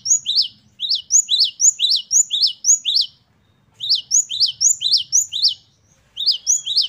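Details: A singing great tit, or gelatik batu, delivers three runs of bright rising two-part whistles, each run several notes long and separated by brief silences.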